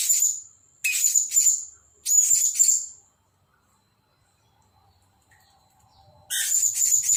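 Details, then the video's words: Captive Blue-crowned hanging parrot decoy bird, newly purchased and set up beside the main decoy: clusters of shrill, rapid, very high notes, a long silent gap of three seconds, then another burst. "Denak Pemikat Burung Serindit Dada Merah"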